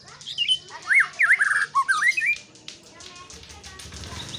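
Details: White-rumped shama producing a quick series of loud, looping whistled notes, some rising and some falling, followed by a steady backdrop of rapid high chirping and low rumbling.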